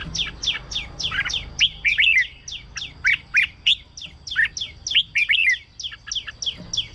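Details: Red-whiskered bulbul in a cage singing, for decoying or rousing other birds: a steady stream of quick downslurred whistles with bubbling warbled clusters, spaced several notes per second.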